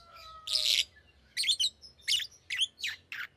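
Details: Green lovebird giving a loud rasping squawk followed by several high, scratchy chirps at roughly half-second intervals, over a soft background hum and a brief steady tone.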